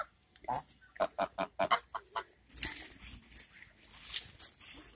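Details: Geese chattering in a quick series of short, evenly spaced nasal notes, about six in two seconds, followed by rough, hissy broadband noise.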